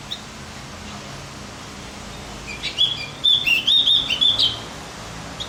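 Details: Singing Javan grey-throated white-eye, played so other birds grow more excited: after a quiet start, a lively high, warbling chatter of rapid twittered notes runs for about two seconds, ending in a sharp rising note.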